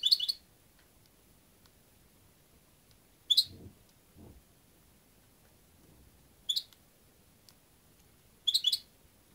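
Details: European goldfinch giving short bright chirpy bursts, each well under a second, spaced a few seconds apart with quiet gaps; faint low background rumble between calls.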